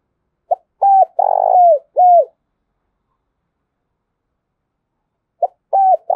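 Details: Lure call of a spotted dove to rouse wild doves: a phrase of quick mellow coos with a longer rolled middle note, silence for about three seconds, then the next phrase beginning.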